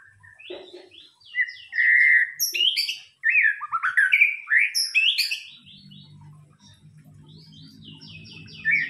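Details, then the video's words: Murai batu, the White-rumped shama, in a pancingan lure song: a steady whistled note followed by a dense run of varied, loud, sweeping phrases. Later, softer high trills sit over a faint low hum. "pancingan murai batu"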